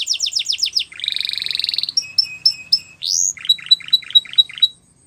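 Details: Canary singing a training song: a run of quick falling notes, a buzzy rapid trill, clipped whistled notes in pairs, a rising sweep, then a string of sharp repeated chirps, all high and clean.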